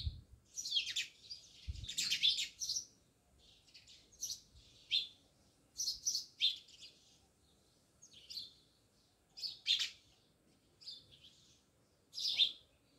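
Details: Sparrows living near a village house in Jamnagar give separate short bursts of sharp, high chirps every second or two against a quiet background.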